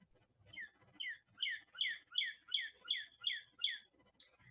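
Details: Male northern cardinal song: a run of about eight clear, slurred whistles, each dropping sharply in pitch, repeated briskly a little under half a second apart.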